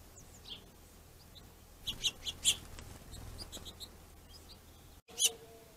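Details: Finches fighting over plentiful food: after a quiet start, a cluster of sharp, high chirps comes in a tight group, with scattered softer notes and one final loud chirp after a brief silence.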